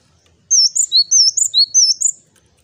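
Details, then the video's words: Male Java sparrow singing lively: three quick phrases of high, bright chirps and slurred downward whistles packed into about two seconds, over a quiet background. "Burung Gelatik Jantan Gacor, Wucit wucit...."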